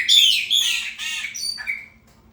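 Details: Singing to mark territory, a chopi blackbird in the 'preta fumaça' style gives loud, rich, bubbling whistles with layered harmonics, ending in a falling slurred note before falling silent.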